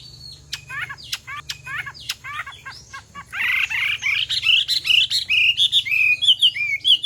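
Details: Chinese hwamei song, a female rousing the male to sing: a few short downward-slurred notes, then a fast, loud run of bright whistled phrases rising and falling in pitch, with a faint low hum behind.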